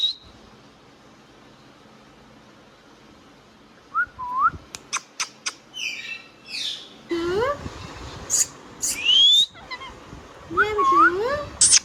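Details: Indian ringneck parrot, a pet bird, talking: after a quiet start, sliding whistles, sharp clicks, squawks and looping modulated tones follow in quick bursts.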